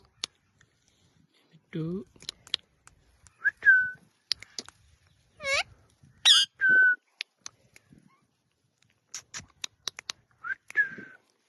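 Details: Pet ring-necked parakeet vocalising indoors in scattered bursts. It mixes squeaky, speech-like syllables, short downward whistles and sharp clicks, with silent gaps between the sounds.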